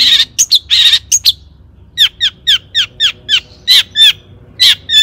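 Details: Long-tailed shrike singing, used as a lure to provoke other shrikes to sing: harsh, bright high notes in short bursts, then a steady series of downward-slurred chirps about every third of a second.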